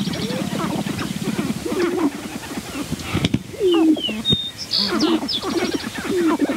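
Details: Two male sharp-tailed grouse battling intensely at the edge of a lek, recorded with a Rode Videomic: dense low cooing and hooting notes, repeated clucking pulses, rising and falling tones, with a brief sharp knock midway and a few high chirps.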